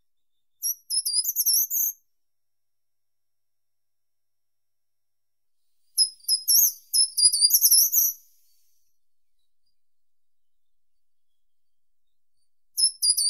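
A short-toed treecreeper sings short, very high, thin phrases of quick notes, separated by pauses of several seconds.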